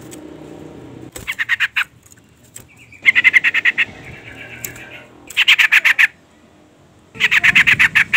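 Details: Calling female sooty-headed bulbul, used to provoke a male into singing: four bursts of fast, harsh, buzzy chattering notes, with a soft thin whistle between bursts.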